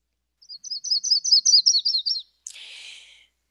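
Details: Yellow-rumped Warbler song played during a spring warbler identification talk: a loose, high trill of about a dozen quick, slightly slurred notes over roughly two seconds, ending in a brief noisy burst.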